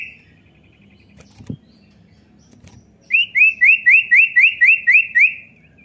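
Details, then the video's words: Common iora call for prompting a young bird's song: after a quiet gap with a few knocks, a regular string of about ten rising slurred whistles, evenly spaced at roughly four per second. "pancing bunyi cipow bahan"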